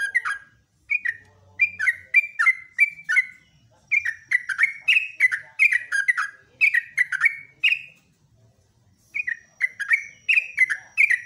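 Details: Yellow-vented bulbul singing in the morning in a rapid, vigorous 'ropelan' style: bubbly, chattering phrases of short descending notes repeated in bursts with brief pauses, and a faint steady high tone in places.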